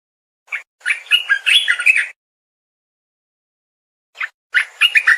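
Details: Streaked bulbul song: a short introductory note, then a fast bubbling phrase, repeated after a pause with the same pattern.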